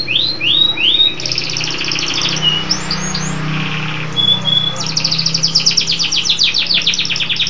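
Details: Local canary singing steadily: fast buzzy trills, sweeping up-slurred notes, then a bright, rapidly pulsed rolling trill near the end, with a faint low hum underneath.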